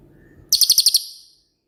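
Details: Shooting-type cililin, used as master song for songbirds such as magpie robins, shrikes and kacer: a single crisp, very high rattle of seven quick pulses, then silence.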